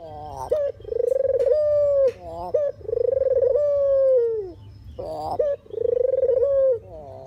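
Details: Dove call used as a lure and decoy for trapping. Three drawn-out, low, purring coos, each ending in a slight downward slide, broken by brief sharp notes in between.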